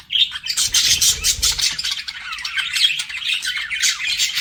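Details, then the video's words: Pet budgerigars flirting, opening with a whistled note then loud dense squawky chatter over a brief low rumble, settling into softer continuous twittering. "BUDGIES FLIRTING"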